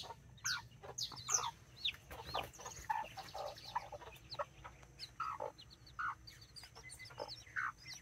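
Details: Nine chicks, four mini and five Brahma, with two mother hens in a Colombian backyard on 24 October 2024, rooster checking on them; busy chatter of peeping chicks and varied hen clucks throughout.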